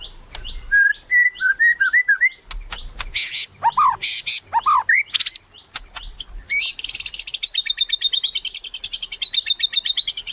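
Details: Vigorous white-rumped shama song meant to provoke other shamas to sing: varied warbled whistles and loud swooping notes, ending in a long rapid buzzy trill that wavers in pitch.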